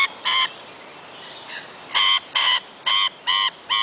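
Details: Forest-dwelling wild lorikeets at Kioloa, Australia: after one early shriek and a quiet gap, a rapid run of five harsh, buzzy screeches, roughly two per second, piercing and evenly loud.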